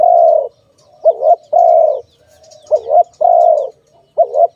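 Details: Husky dove call, from footage of trapping and releasing doves: sustained level coos interleaved with short warbling double notes, three or four phrases, faint high chirps in the background.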